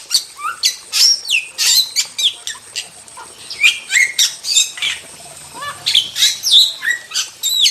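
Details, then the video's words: A wild starling pours out a fast, rambling song of sharp whistles, squawks, rasps and clicks, mostly high-pitched and changing note every fraction of a second. "Masteran Jalak Super Gacor – Ultimate Wild Starling Sound Effect"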